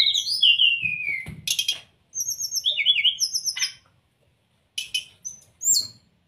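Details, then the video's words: Brown-chested jungle flycatcher singing high, clear whistled phrases, some sliding downward, mixed with quick twittering notes, in bursts with short pauses; used as a lure and training song to get reluctant birds singing. "pancingan srdc agar cepat buka paruh..dan masteran srdc mudah di tiru ,terapi srdc malas bunyi"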